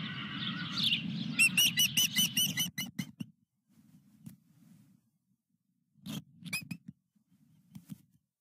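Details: Osprey at a nest at Dunrovin Ranch with a fish, 23 June 2021: a quick run of about ten high, sharp chirps, then quieter low rumbling with a few brief clicks and short chirp bursts, over steady low hum.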